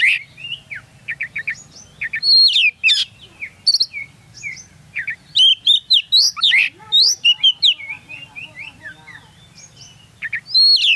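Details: Oriental magpie-robin, a champion bird, recorded close beneath its hanging cage at a bird-song competition in Singkawang: loud, varied whistled song of sharp rising and falling notes, quick trills and piercing high phrases, delivered in bursts with brief pauses.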